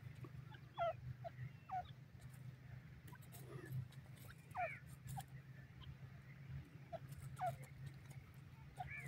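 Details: Grey francolin (teetar) giving repeated rising, slurred calls, roughly one every second or so, with a few fainter notes between them, set against a continuous low hum and faint background noise.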